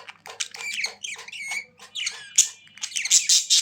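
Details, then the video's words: Budgies warbling busily, short whistled and squeaky notes tumbling over each other, growing sharper and higher toward the end. "Budgies Sounds for lonely birds to make them Glad"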